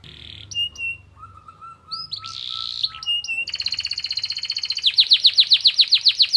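A canary sings a varied run of high whistles and slurred notes, then breaks into fast buzzy trills and a rapid rattle of bright repeated notes.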